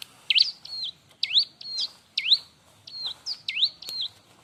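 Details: Bar-winged prinia (ciblek) in lively song used for training other birds. Loud, swooping notes that rise sharply then level off, repeated about once a second in uneven pairs.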